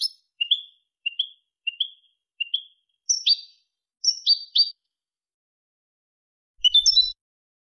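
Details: Malaga-style European goldfinch song meant for tutoring young birds and hybrids; a series of short rising whistled chirps repeated about every 0.6 seconds, then buzzier twittering notes and a final tangled twitter.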